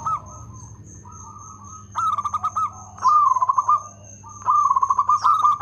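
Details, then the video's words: Rhythmic song of a local zebra dove with a loud, actively singing voice. Soft hollow coos build into loud runs of rapid, bouncing staccato notes, repeated three times, over a steady high thin whine in the background. "Perkutut lokal gacor suara lantang irama bagus"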